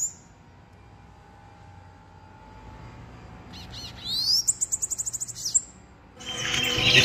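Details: Bananaquit, loose and fighting with a hand, gives a high, rapid series of about a dozen sharp repeated notes after a short rising sweep, followed by a loud rustling noise at the end.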